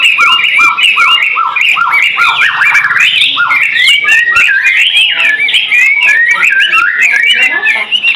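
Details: Caged white-rumped shama from Medan, Indonesia, used as a tutor recording for other songbirds, singing a loud, fast, varied stream of whistled and slurred phrases with rapid rising and falling notes, some repeated in short series, with no pauses.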